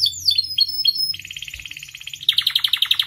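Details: Singing canary, played as a lure and master for other canaries: sliding whistled notes, then a steady fast trill, then a louder buzzy rattling trill, with a low hum in the background.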